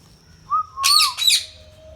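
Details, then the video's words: Pet Indian ringneck parakeet calling: a short whistled note sliding into a wavering whistle, then two rasping high squawks, ending with a low steady tone. "Ringnick Parrot natural sound | indian ringneck parrot talking"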